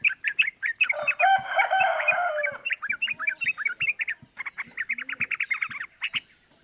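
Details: Vigorous ropel-style "cuk cuk" chatter of a yellow-vented bulbul (trucukan), played as a lure to stir other bulbuls into calling: short sharp notes in quick bursts, broken by a rough, smeared noisy burst midway, then a tight rapid series.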